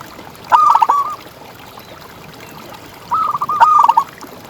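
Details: Champion local zebra dove singing actively in the ngalas style as a tutor bird: a pair of soft stuttering coo phrases about two and a half seconds apart, the second longer, over a quiet hissing background.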